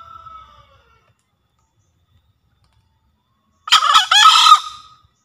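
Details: Java green junglefowl master crow for luring or prompting captive birds: a faint whistled tail fades, a long pause follows, then one loud, coarse, stuttering crow with a drawn-out rasping ending.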